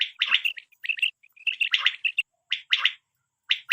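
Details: Quail calls for hunting and netting: short, bright chirping and chattering bursts, several clustered notes per second, then a pause before a final burst. The background is otherwise clean.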